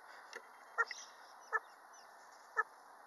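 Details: One of two tame butcherbirds at a house's back door gives three short, clipped, slightly nasal 'buck' notes about a second apart, begging for food, over a steady background hiss.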